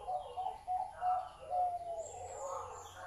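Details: Zebra dove noted for a big, deep voice, giving short clipped cooing notes in a broken series. Faint chirps and a thin high whistle from other birds sound behind it.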